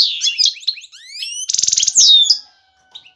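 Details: Male European goldfinch, ready to mate, singing excitedly to attract a female: a quick run of high twittering notes, rising whistled slurs, then a dense buzzy trill and a final bright chirp fading into silence.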